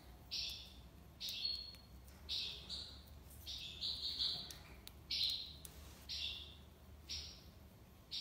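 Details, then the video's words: Algerian tiwawati song of a European goldfinch from Algiers: evenly spaced, sustained buzzy notes, nearly one each second, with a few brighter doubled notes mid-sequence. Light background hum. "مقنين تيواوطي ليبساد الله يبارك / chardonneret tiwawati"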